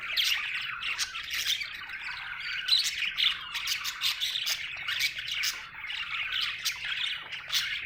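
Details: Happy budgie chirping in a lively stream of quick scratchy notes and squeaks, rhythmic louder bursts about every second.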